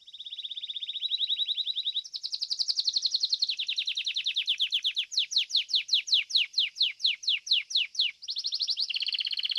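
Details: Domestic Belgian canary singing in fibra style at a seventh-edition singing competition: a long, loud, high song of sustained trilled rolls shifting pitch, then a run of sharp descending notes repeated about twice a second, ending in buzzy rolls.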